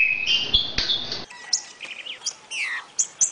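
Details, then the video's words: Green-winged saltator in the "60 boi" song style used for training young birds: a loud whistled phrase near the start, then a quieter stretch of short slurred notes and chirps, with a faint steady hum behind. "TRINCA FERRO 60 boi pra treinar filhotes"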